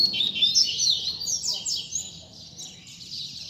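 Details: Rusty-collared seedeater tutor song used to teach young birds: a fast, bright run of high twittering and trilled notes with buzzy slurred phrases, fading slightly toward the end, over low background murmur.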